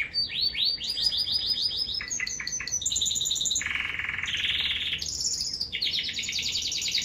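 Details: A male American Singer canary sings a fast, varied song of rapid trills and rolling phrases, shifting between high sweeps, buzzy rolls and bright repeated notes.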